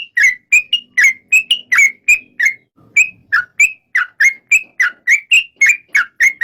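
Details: Yellow-vented bulbul giving a long string of clear, slurred whistles, some rising and some falling, delivered at about three notes per second with little variation in loudness.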